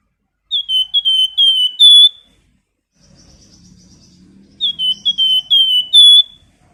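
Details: Flamboyan in full song with clear, loud whistled phrases. Each phrase runs four or five sliding notes and closes on a higher note. Two phrases are separated by a quiet gap with a soft background hum and faint chatter.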